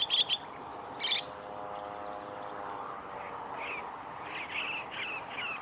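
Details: Chestnut-cheeked starlings at the North Fuji training area, Japan, 2 July 2017, give a few sharp, high chirps at the start, then softer buzzy notes later, over a low steady hum.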